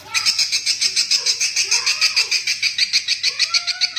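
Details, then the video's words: Swiftlet lure sound meant to draw the birds to roost: steady, rasping high chirps about three per second, while several drawn-out, wavering cat meows sound lower in the background. "suara panggil burung walet untuk mengginap kan"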